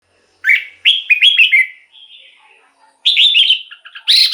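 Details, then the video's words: Red-whiskered bulbul song played to excite caged birds or lure wild ones; loud bright phrases of quick warbled, slurred whistled notes, a softer trailing segment, then another burst of rich chattering notes. "เสียงนกกรงหัวจุก สำหรับต่อ หรือ เปิดให้นกคึก เสียงเพราะๆ"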